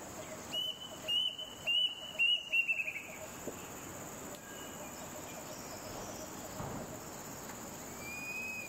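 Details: In Malaysia, a male Plaintive Cuckoo perched near a road calls loudly: a quick run of about six high, clear whistled notes, roughly two per second, over a steady insect hum.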